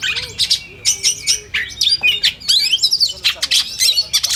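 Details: Oriental magpie-robin (kacer) singing in a competition simulation: dense, varied high chattering with rapid whistles, buzzy notes and sharp rising sweeps, phrases packed tightly with brief gaps.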